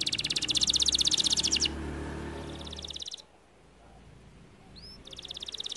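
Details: Canary with bursts of dense high buzzing trills separated by a quiet gap, with low background hum beneath.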